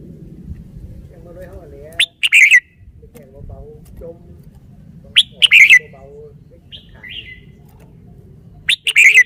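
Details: Caged red-whiskered bulbul showing off its song phrasing: three short, loud, bright bursts of sharp whistled notes separated by pauses of about three seconds, with soft low background noise and faint chatter between.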